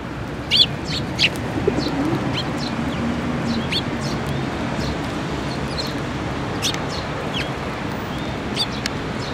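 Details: Eurasian tree sparrows and a newly fledged chick coming to be fed at a Tenmangu shrine on 7 May 2024: scattered thin, high chirps, some louder ones early, others soft and distant, over low rumbling background noise.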